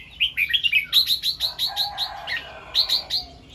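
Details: Red-whiskered bulbul singing in the morning in the 'double 2-3' and 'rik' style: quick runs of bright whistled notes, many repeated in pairs and triplets, with a faint lower steady tone beneath.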